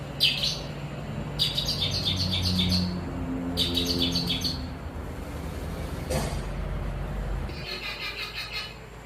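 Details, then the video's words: Long-tailed shrike song given in separate bursts of fast, high, rattling chirps a second or two apart, over a steady low rumble and a single sharp knock. "Kicau Burung Pentet Gantangan"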